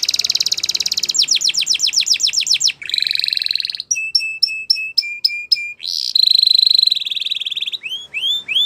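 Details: Gloster canary singing a rapid buzzy trill, a run of falling chirps, a harsh burst, separate whistled notes repeated in a steady rhythm, then a buzzy trill and curved chirps.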